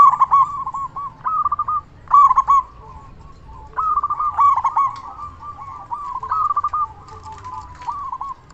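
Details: Local zebra dove with a loud voice, used as a lure so other doves answer and to stir breeding mood. Rapid stuttering coos around mid pitch come in bursts every two seconds, with softer cooing from another dove between them.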